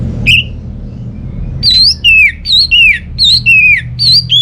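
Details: Kept orange-headed thrush (anis merah) from Singaraja, North Bali, sings a fast series of loud swooping whistled notes, each rising then falling, repeated about twice a second, played to prompt quiet birds at home to sing.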